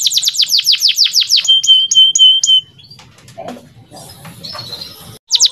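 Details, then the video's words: Male canary singing for training young canaries: fast falling sweeps followed by a rhythmic series of short whistles over a held tone, then quieter faint sounds and a brief burst of song at the end. "MASTERAN BURUNG KENARI PAUD AGAR CEPAT BUNYI DAN GACOR - kenari jantan gacor jernih"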